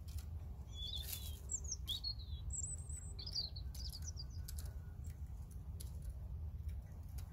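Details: European robin delivering a run of short high phrases: squeaky slurs, a thin sustained whistle and jumbled twitters spaced by brief gaps, with a constant deep rumbling noise beneath.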